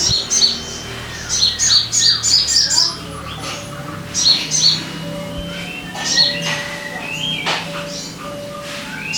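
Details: Sogon bird song as a lure to get caged birds singing: quick bursts of high chirps alternating with softer whistles and pauses, over a faint low hum.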